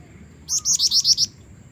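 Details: Female black-winged flycatcher-shrike (jingjing batu), calling actively to lure a male: a rapid burst of six sharp, high chirps in under a second, evenly spaced, over a quiet background hum.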